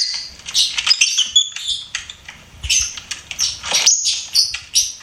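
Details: Lovebird kept as a pet, producing a busy, nonstop stream of high, squeaky chirps and twitters with a few longer whistled notes.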